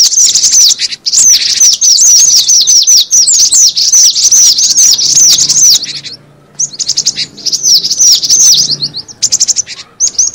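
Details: Cinereous tit lure call: a long run of fast, piercing chirps, densely stacked and repeated about two to three times a second, broken by a quiet gap after six seconds and a final short burst.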